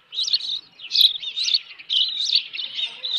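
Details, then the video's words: Nesting Osprey alarmed by an intruder, 25 May 2018: strained, high whistled yelps run together in a fast uneven chain, swelling and fading over three seconds in a quiet setting. "Osprey Nest Video_2018-05-25_114923-intruder"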